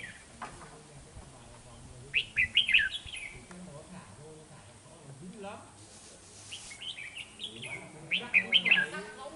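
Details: Decoy red-whiskered bulbul singing aggressively at rivals during a trapping session on 13 November 2018: two bursts of quick, twisting warbled notes about six seconds apart, over rustling and faint low voices.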